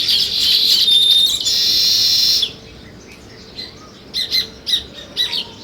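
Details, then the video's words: Sparrow chirping: first a loud, dense burst of high twittering from several birds that stops abruptly, then scattered single sharp chirps against quiet. "Sparrow Chirping Sounds"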